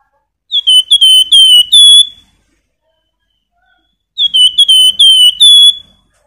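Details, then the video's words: Nyiul song of a Flamboyan bird for prompting other birds to sing: two identical bursts of rapid, high, pure whistled strokes about four seconds apart, each closing on a longer bright note. "Raja Nyiul Burung Flamboyan cocok untuk pancingan"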